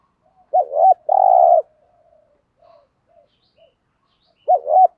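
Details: Spotted dove coo meant to provoke males: one full phrase of a wavering double note and a sustained rough coo, followed by a few quiet soft notes and then the start of the next phrase.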